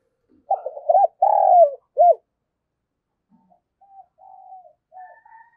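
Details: Decoy spotted dove cooing to attract new wild doves. One full phrase of short, hoarse, rising coos and a long, drawn coo falling at the end. It is followed by faint, soft, low murmuring notes.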